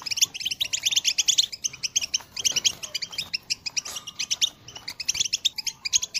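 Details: Goldfinch call song, recorded in 2022, for motivating other birds to sing: bright, fast chattering twitter in repeated bursts about a second long, clear and close with little background noise.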